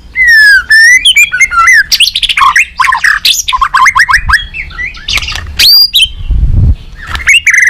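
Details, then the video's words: White-rumped shama singing a competitive, many-voiced song while flicking its tail: dense run of rich whistled notes, slurs and rapid chirps tumbling over one another, with a brief low thump near the end. "chòe Lửa đập đuôi hót đấu liên tục nhiều giọng"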